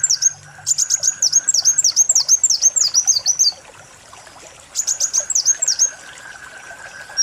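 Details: Lure recording of a kolibri wulung sunbird: a long string of thin, high, down-up chirps repeated quickly, a quiet gap of about a second, then a shorter burst, with a faint buzzing tone in the background.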